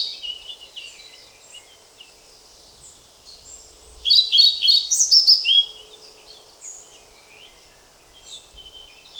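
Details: Singing European pied flycatcher (Ficedula hypoleuca): faint scattered high chirps, then a loud, fast, warbling phrase of high whistled notes lasting about two seconds, followed by quieter distant twitters.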